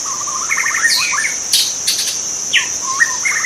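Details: Wild white-rumped shama singing in its natural habitat: quick series of whistled, stepped notes and short rising slurs, set against a constant high, ringing insect drone and a few brief noisy bursts.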